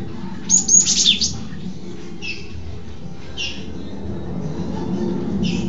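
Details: Cinereous tit singing continuously, recorded from below: a loud, shrill high burst of notes, then short high two-part phrases repeated every second or so over a low background hum.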